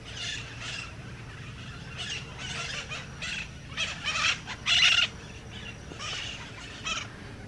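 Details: White-eyed parakeets near the Tambopata clay lick in Peru give harsh, grating screeches in short overlapping bursts, several birds calling together, with the loudest squawks near the end.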